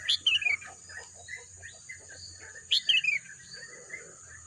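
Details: Bird calls in green nature: two short bursts of bright, high, descending chirps about two and a half seconds apart, over a soft background of faint twittering.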